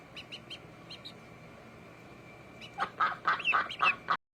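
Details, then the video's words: On a pond, a few thin high peeps give way to a quick burst of chattering, nasal quacks that ends abruptly. "PATOS- SOM DE PATO- DUCK SOUND"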